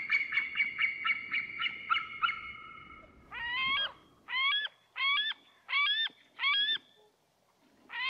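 White-tailed eagle gives a fast run of about nine sharp yelping notes, then six longer, ringing, upslurred yelps spaced under a second apart, over faint low rumble.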